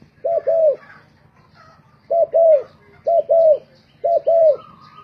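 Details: Spotted dove used as a decoy, singing in a contest. Paired hollow coos, one short and one longer, repeat with gaps of about a second. Faint chirps from other small birds are also heard.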